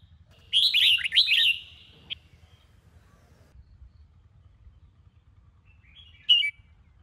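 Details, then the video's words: Morning training song of a Sông Kôn red-whiskered bulbul kept in a cage. One rich, slurred warbling phrase of about a second, a long quiet stretch, then a single short bright chirp near the end. "Chào Mào Sông Kôn - Luyện Giọng Hót Hay | Luyện Chào Mào Bổi Hót Sáng"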